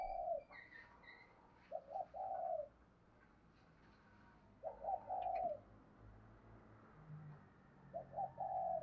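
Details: Spotted dove cooing for luring and training birds: three-part coo phrases repeated about every three seconds over a low noisy hum, with faint higher chirps early on.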